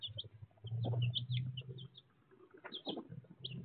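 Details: Baby chicks peeping in short high notes, alongside a louder low rumbling and clucking sound near the start and scattered scratching noises.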